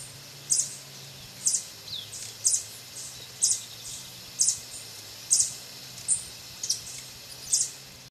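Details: A Violet sabrewing at Poasito, Poás, Alajuela, Costa Rica, gives sharp, very high chips, one roughly every second, nine in a row, over a faint low hum.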